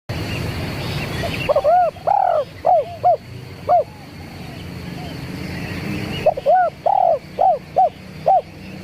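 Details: Zebra dove calling, the sound used as a lure: two runs of short, soft cooing notes, each arched, repeated roughly every half second, over a steady hiss and low rumbling background.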